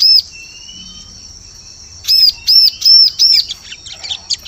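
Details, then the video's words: Bar-winged prinia from a forest lure recording: one chirp opens, then after a quiet gap a steady series of four loud high arched chirps about half a second apart, trailing into softer notes. "Suara Pikat Burung Ciblek"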